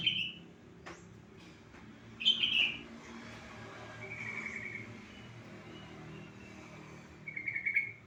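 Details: Sooty-headed bulbul calling, meant to provoke a reluctant bird into song: a few short, bright warbled phrases separated by gaps, over a constant low background rumble.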